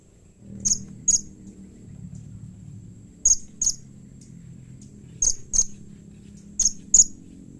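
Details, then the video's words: Blue-crowned hanging parrot uttering a call said to make others of its kind respond: paired, very brief, sharp high ticks repeated in four pairs over several seconds, over a soft low background hum. "SUARA Serindit Seperti Ini Paling Di Sukai & Cepat Di Respon Bikin Nyaut Semua Burung Serindit"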